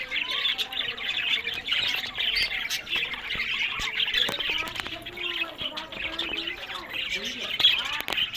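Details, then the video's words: Steady high warbling chatter from a group of pet budgerigars in Larkana, Sindh, with many scratchy chirps overlapping, short tonal notes underneath, and a few wing flutters. "Buddies Parrot Voice"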